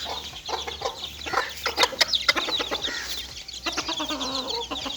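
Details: Little chicken chicks playing, a flock peeping together in dense, overlapping high chirps with a few lower clucking notes mixed through.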